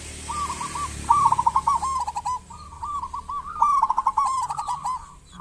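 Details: Local zebra dove used as a calling lure for other zebra doves: two loud rolling coo phrases of quick stuttering notes merging into smoother cooing, over a faint steady background hiss.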